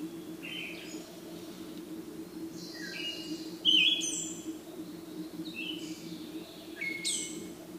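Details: Siberian thrush on 17 June 2017 gives a series of brief whistled phrases, some with buzzy hissing endings, spaced over several seconds, the loudest near the middle, over a continuous low background hum.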